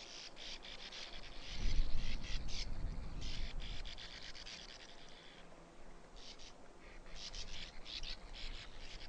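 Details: Sand martin (Riparia riparia), call.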